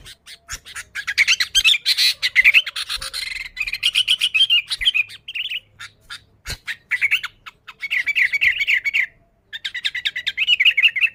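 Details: Sooty-headed bulbul singing vigorously, used to lure other bulbuls: a dense run of bubbly warbled phrases mixed with many sharp clicking notes, with a brief pause near the end before the chatter resumes.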